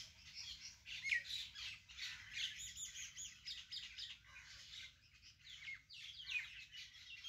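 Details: Garden birds heard among vegetable beds, many small chirps and trills overlapping in a steady high chatter that rises and falls in loudness.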